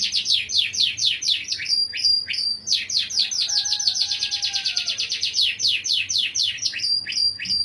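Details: Melodious canary song of fast repeated high chirps and rolling trills, unbroken, with a faint lower whistled tone sliding underneath midway.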